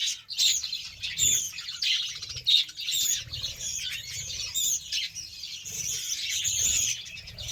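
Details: Budgerigars eating beetroot produce a lively high twitter, chirps and warbles overlapping in uneven waves.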